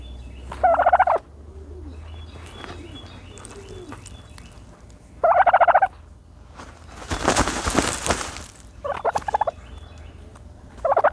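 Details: Turkey dust bathing in dirt, giving loud bursts of rapid rattling pulses near the start, middle and end, with a broad scratching, rustling noise of dirt between and softer short bursts after it.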